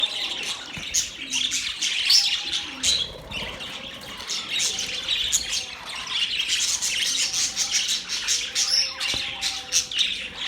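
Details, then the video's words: Birds chirping, recorded October 3, 2023: a dense, continuous chorus of high, overlapping chirps and squawky notes from many birds, with no pauses, and faint low hum beneath. "Birds chirping sounds"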